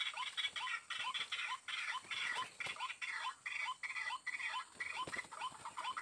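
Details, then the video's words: White-breasted waterhen heard while being lured: rapid series of short rising hooked notes with harsh overtones, repeated roughly twice per second, over a rough noisy background. "Pikat Burung Ruak-Ruak Paling Santai"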